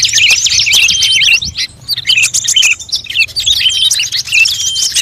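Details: Bird lure mixing the voices of several species, including prinia, drongo and starling. Bursts of fast, high chattering and looping whistles, separated by short quieter pauses.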